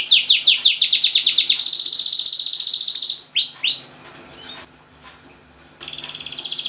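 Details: Canary song used as a lure to prompt silent canaries to sing: fast repeated high chirps forming a rolling trill for three seconds, then a few downward swept notes, a pause with low hum, and a faint trill returning.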